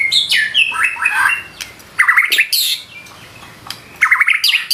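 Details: White-rumped shama singing energetically with imitated phrases: loud bursts of varied whistles and harsh chattering notes, some sliding downward, separated by short pauses.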